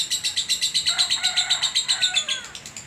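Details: Contest-winning lovebird from Sragen giving its long ngekek song: rapid, evenly pulsed high chattering notes about six per second, with a lower buzzy strand added midway, continuous throughout.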